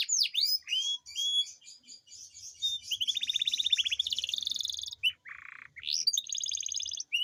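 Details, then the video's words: Canary singing long rolls as a lure for reluctant singers: varied whistled sweeps give way to a rapid buzzy trill and a dense rattle, a short harsh burst, then higher whistled notes; faint low background noise. "Pancingan kenari gacor ngerol panjang dan pancingan kenari malas bunyi pasti"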